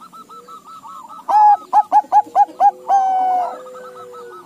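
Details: Crossbred Bangkok-local zebra dove answering the others, after soft background cooing: a sudden loud phrase of six short coos, then a longer held note. Faint doves keep calling afterward.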